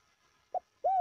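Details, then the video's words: Spotted dove call used to excite and train decoy birds: a brief soft note followed by one clear, arched coo that swells and falls away, with faint background hiss. "tiếng chim cu gáy gọi kích mồi tập bổi cực chuẩn"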